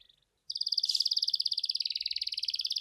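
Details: Gacor canary song used to prompt reluctant canaries: after a brief faint note, a fast, even, bright trill of rapidly pulsed notes runs steadily for over two seconds.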